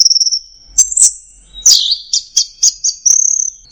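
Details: Anis merah, the orange-headed thrush, delivering 'teler' song: a thin, very high whistle, then sharp chirps and a run of quick, repeated high notes ending in a fast trill.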